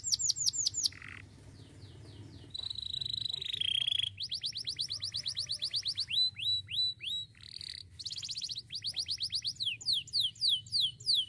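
A canary sings a loud, rapid song of varied high trills and rolling chops, each run of repeated notes switching to a new phrase every second or two. A faint low hum underneath.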